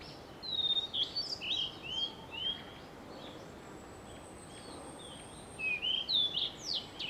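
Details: Blue-and-white flycatcher singing close by on 2 June 2020: high clear whistled phrases with slurred downward and upward notes, delivered in two bursts separated by a quiet gap, with soft background noise.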